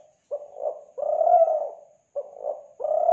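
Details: Spotted dove from Kelantan, a recording used to lure doves. Two low coo phrases, each opening with quick clipped notes before a longer swelling coo. No other sounds.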